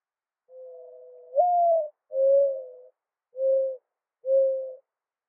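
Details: Mourning dove cooing: a long, low coo that slides upward, then three soft, steady hooting coos spaced about a second apart. The recording is clean, with no other sounds.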